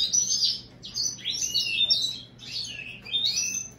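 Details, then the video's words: A hybrid of American goldfinch and European greenfinch gives a loud, close song of warbled, slurred whistles and buzzy twitters in short phrases with brief pauses, against quiet background. "هجين الحسون الامريكي مع الخضري"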